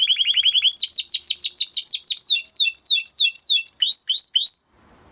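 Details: Timbrado canary training song: a rapid low rattle runs into a long series of loud downward-slurred notes, about four per second, which grow softer and higher before stopping into quiet.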